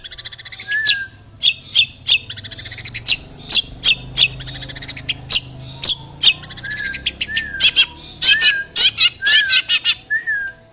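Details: Long-tailed shrike lure song containing imitated sparrow material: dense harsh clicking and rasping bursts mixed with high chirps and occasional lower slurred whistles, continuing steadily throughout.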